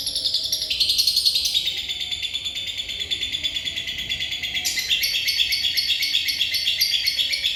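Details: Lovebird in continuous bocor isian style, a long unbroken high chattering trill of rapidly pulsed notes that steps abruptly to a brighter, more buzzy pitch midway.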